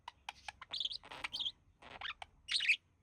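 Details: One of a couple of pet budgies, the male, mimicking human speech; a few ticks, then squeaky warbled phrases and raspy notes ending in a loud shrill chirpy burst.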